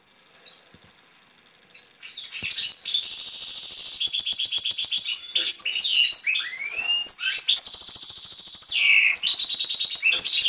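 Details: European goldfinch kept in a cage, singing after two quiet seconds: rapid liquid twitters, quick rising and falling whistled slurs and rattling trills run together without pause, bright and high-pitched throughout.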